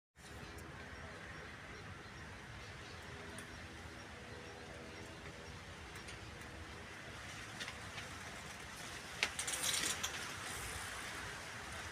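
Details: Steady outdoor hiss and low rumble, like distant traffic or wind, with a brief rustling burst near the end and no clear animal call.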